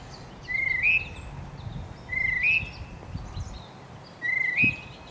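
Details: A wild male tufted titmouse in spring gives three evenly spaced whistles. Each is a steady clear tone that bends upward at its close. Light twittering from other birds sits behind the calls.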